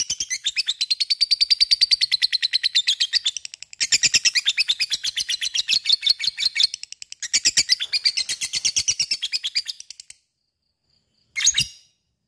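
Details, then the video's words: Gacor lovebird delivering ngekek chatter to provoke other lovebirds: three long runs of rapid, shrill, buzzy pulses separated by brief pauses, followed by silence and one short final squeak. "Sekali denger LOVE BIRD akan trpancing untuk ikut ngekek fighter dan gacor"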